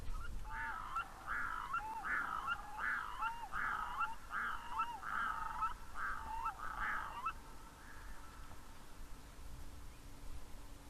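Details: Red-throated loons in a calm, forest-ringed estuary at Nimmo Bay, British Columbia, on a summer 2025 morning, give about eight nasal, goose-like cackling notes, roughly one a second, then fall quiet, over a low rumble.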